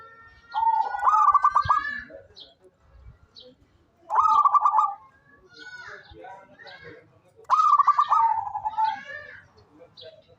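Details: Zebra dove, local Indonesian bird known for calling often and used as a lure for other doves, repeats bursts of rapid stuttering trilled coos about every three seconds, with faint background noise between phrases.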